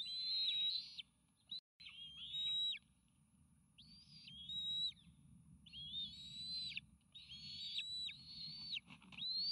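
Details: Bald eagle eaglets, triplets near fledging age, becoming aggressive as a meal is delivered to the nest on 29 May 2018; repeated piercing whistled squeals in several long bursts with gaps and a brief dropout, faint background hum.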